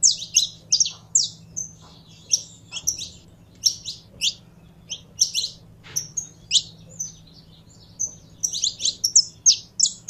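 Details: Lively saffron finch song of sharp high chirps, about three per second in uneven bunches with brief gaps, over a quiet low hum.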